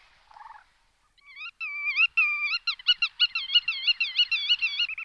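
Black-tailed godwit giving a rapid series of nasal, wavering calls with a rich harmonic tone, about three per second, after one brief opening note.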